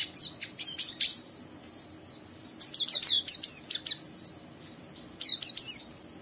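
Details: Oriental white-eye, a young bird singing rough rapid chatter to stimulate another to sing; two bursts of high sharp twitters and squeaky slurred notes separated by a quiet gap of about two seconds.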